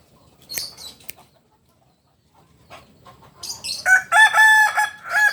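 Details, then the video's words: A biriang kuniang (reddish-yellow) Kukuak Balenggek rooster, a native of Solok, West Sumatra, crows after a quiet stretch with scattered clicks. The loud, tiered crow breaks into several short, stepped harmonic segments over its final two seconds. "Biriang kuniang Ayam kukuak balenggek asli Solok Sumbar"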